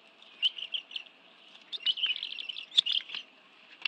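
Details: Bald eagle family of two adults and two young sharing fish at a National Arboretum nest, Washington, D.C., 11 June 2017: soft short bursts of high squeaky chirps, building into a denser run of twittering, over a faint hum.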